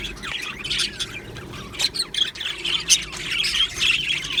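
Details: Colony of happy Australian budgies in an aviary producing busy overlapping chatter: sharp squawks and quick high chirps burst over a steady background of warbling from many birds.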